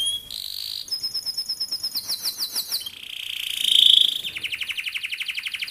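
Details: Canary, kept as a training bird for young canaries in Indonesia, singing a fast rolled song: a steady whistle, then rapid repeated downslurred notes, a piercing high buzzy trill, and quick rolling phrases of repeated syllables.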